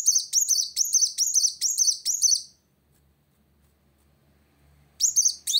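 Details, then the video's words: Olive-backed sunbird singing to challenge a rival: a rapid series of high, buzzy, rising notes for over two seconds, a long silence, then the phrase starts again. "Kolibri Wulung Gacor Cari Lawan"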